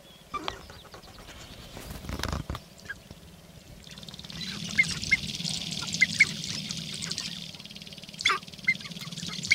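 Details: Displaying sharp-tailed grouse on a Northern Wisconsin lek, April 29, 2021: scattered clucks early, a loud burst of noise near two seconds, then a denser stretch of cackling notes over a low rumble.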